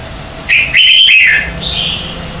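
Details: Red-whiskered bulbul morning song, from a 2019 set of competitive lure songs used to train and rouse caged birds: a loud, rich warbled phrase of about one second, then a softer, higher drawn-out whistle.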